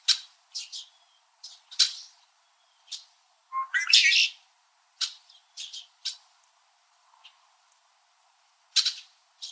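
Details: Several Red-winged Blackbirds in winter, perched high in backyard trees in Southern Ontario, Canada, chirping at each other: sharp, broadband chip notes at irregular intervals, with one longer, harsher rasping burst near the middle.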